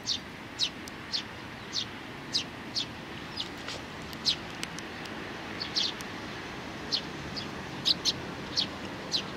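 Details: Sparrows on 27 June 2019 with a small one putting in effort: regularly spaced short high chirps, about two per second, fairly even in loudness over a soft hiss.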